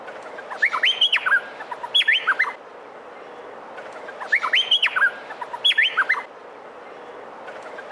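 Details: Actively singing male cucak pantai, a Meliphaga honeyeater, recorded for training other birds: two song phrases, each a pair of bursts of sharp, clear whistles that swoop between high and lower notes, with background hiss.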